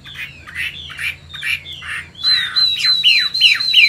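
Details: Old wild-caught Chinese hwamei kept caged in Vietnam, a large bird with forest-voice song. Harsh, squawking notes repeat about twice a second, then a thin steady whistle and sharp downslurred notes join in.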